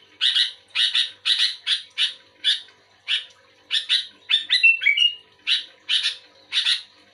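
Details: Responding to another bulbul, a sooty-headed bulbul delivers a steady series of harsh, bright notes, mostly paired, with a brief whistled trill in the middle.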